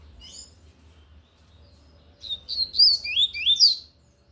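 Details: Lined seedeater, tui-tui collared seedeater, singing forcefully: a brief high trill, a pause, then a loud, quick series of sharply rising and falling whistled notes lasting about a second and a half.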